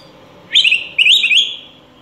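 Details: Song of the Araripe manakin, critically endangered, Brazilian forest: two closely spaced bursts of bubbly, fluttering whistles sliding up and down, the second phrase longer and trailing off into soft background noise.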